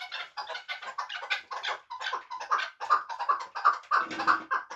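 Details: Chukar partridge from Muminobod, a bird kept for hunting, giving dense bursts of harsh clucking chuk notes, many overlapping and fast, around two or three per second, rising in loudness toward the end.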